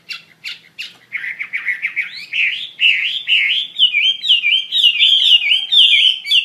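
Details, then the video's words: Chinese hwamei singing loudly: opens with a few sharp chipping notes, then a fast string of rich warbled whistles that rise steadily in pitch into rolling, repeated loops, clear and unaccompanied. "SUARA KICAU BURUNG HWAMEI WAMBI GACOR"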